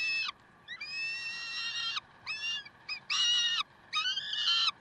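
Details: Peregrine falcons in Karlsruhe, 30 May 2010 at 7:27, giving loud, rasping, sustained wails, one held over a second, interspersed with short clipped screeches that dip at their ends, in an irregular sequence.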